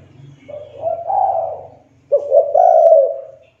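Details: Spotted dove calling as a lure to set off lazy or young doves; two drawn-out wavering coos, the second opening with a sharp clipped note, over a low steady background hum.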